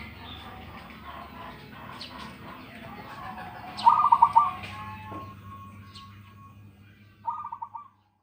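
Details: Local zebra dove noted for its big voice, kept as a master bird: a loud burst of fast, stuttering coos in the middle, then a softer repeat of the same pulsed phrase near the end over faint background noise.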